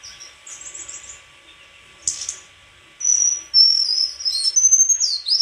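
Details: White-throated flycatcher: soft, hazy high notes at first, then loud, long, sharp whistles that slide and waver toward the end, over a low constant hum.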